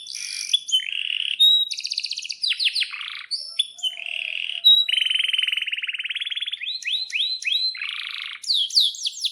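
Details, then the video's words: Canary in full, energetic song, described as sharp 'cuit cuit' chirps with long rolls and used to prompt other canaries to sing; rapid varied high phrases, buzzy trills and falling whistled notes repeated in quick series without pause. "suara kenari gacor panjang AMPUH,, PANCINGAN KENARI AGAR BUNYI JADIKAN BURUNG KENARI GACOR Seketika"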